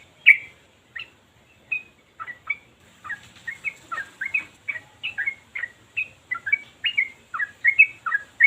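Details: Yellow-vented bulbul in continuous ropel song, meant to prompt others of its kind to sing: scattered liquid notes at first, building into a steady stream of chattering, up-and-down warbles.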